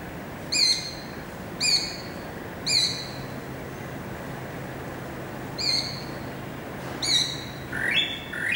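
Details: Greater racket-tailed drongo singing, 7 February 2018: loud ringing metallic notes spaced roughly a second apart with pauses, ending in a rising whistled phrase.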